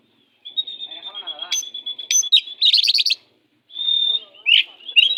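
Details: Aggressive 'pastol' oriental magpie-robin song, used as a tutor for magpie-robins lacking drive. A long steady whistle with short sharp notes leads into a rapid buzzy trill, then, after a brief pause, more whistles and rising chirps.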